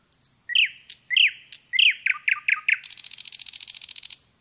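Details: Common nightingale singing in a forest: a high pure whistle, then sharp repeated down-slurred notes and a rapid buzzy trill to finish, with no other sounds.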